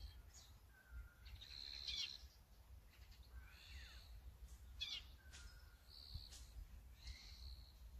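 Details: Calls of an azure-winged magpie, recorded on a Sony A9 with a 200-600mm lens: scratchy, nasal notes and short buzzy bursts come in irregular series, with a constant low hum beneath.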